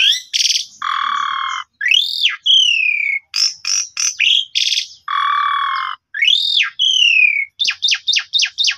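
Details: Asian pied starling song for stirring a sulking bird: buzzy sustained notes alternate with arched rising-falling whistles and falling whistles, ending in a quick run of five sharp chips.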